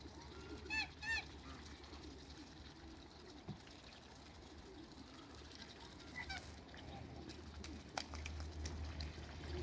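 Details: Backyard Muscovy ducks, two males and one female, meeting waterbirds: two loud, ringing, honk-like calls early on, then scattered faint clicks and a steady low hum.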